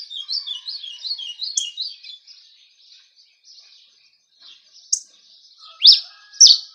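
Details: Cravina in Rio Grande do Norte campina: a rapid run of high buzzy chirps, a pause with faint notes, then two loud clear slurred whistles at the end.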